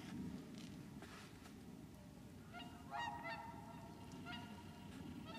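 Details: Wintering whooper swans at Lac du Der, Champagne, France, on 30 January 2014, give loud, bugling honks with harmonic overtones, several overlapping mid-clip, over a steady low rumble of wind or flock noise.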